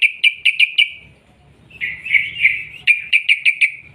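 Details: Sooty-headed bulbul's long rolling song used as a lure for other birds: a row of five sharp chirps, a slurred warbling passage, then another quick series of five chirps.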